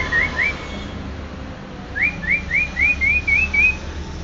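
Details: A greater green leafbird from Banyuwangi whistles two rising slurred notes, pauses, then delivers a regular run of seven upslurred whistles about four per second, quieter against a light background hum.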